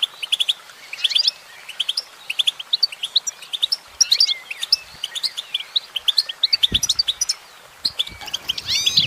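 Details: Female goldfinch singing: a dense, continuous run of bright twittering chirps and short high whistled notes, tumbling rapidly with little pause, ending in a few sweeping upslurred notes.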